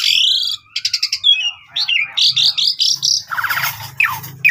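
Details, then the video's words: Asian pied starling performing a gacor, isian-filled song: a buzzy whistled opening, clipped rapid chatter, varied warbling phrases and a harsh rattling burst, with a faint low hum beneath. "Jalak suren Gacor Full Isian Mewah Langsung Nembak Ngerol"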